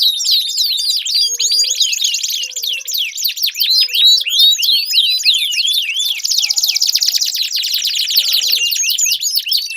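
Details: Continuous canary song meant to coax a silent canary into singing, made of fast rolling trills and swooping whistled notes, with a bright sustained buzzy trill near the end and faint low chirps underneath.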